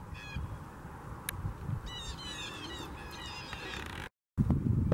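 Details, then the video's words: Blue jays in Huron Natural Area, Kitchener, giving a run of quick, down-slurred nasal calls, several in close succession, over a steady low background roar, with a brief dropout near the end. "Blue jays symphony"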